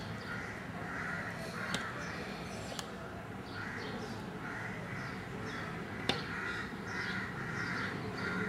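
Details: Indian golden oriole at a glazed window, drawn to its mirror-like surface (observer suspects it takes its reflection for another bird), gives harsh, nasal, crow-like notes about once a second, with sharp taps and a low background hum.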